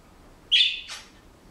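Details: A pet Senegal parrot at home gives one brief, harsh, buzzy note about half a second long, ending in a short rasp, in a quiet room.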